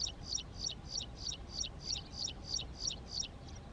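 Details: Graceful prinia, a small resident bird of Saudi Arabian farmland, male and female in courtship display; a fast even series of sharp, high chirps, about three per second, clear above faint low background rumble.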